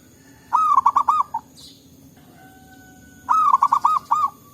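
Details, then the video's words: Local zebra doves in forest, calling back and forth, recorded as a lure to prompt other birds to sing: two bursts of five to six quick, mellow, arched cooing notes, each phrase under a second, separated by a pause with faint background hum. "Suara Burung Perkutut Lokal Gacor Ampuh Untuk Pikat Dan Pancingan"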